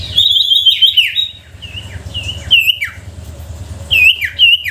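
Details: Sooty-headed bulbul lure song to draw silent bulbuls into singing: a warbling opening phrase, then spaced bright whistled chirps with downward slurs, over steady low background rumble.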